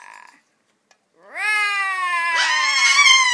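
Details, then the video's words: Speech mimicry from a macaw, a fuzzy attempt: after a short note and a pause, one long drawn-out nasal squawk that rises, holds, then turns harsher and raspy. "Macaw talking"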